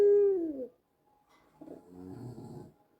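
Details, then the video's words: White collared dove coo used as a lure for doves at home: the tail of a held note slides downward and fades, then after a short silence comes a low, rough, purring coo. "SUARA BURUNG PUTER PUTIH KALUNG HITAM YANG BIKIN PUTER DIRUMAH IKUT BUNYI"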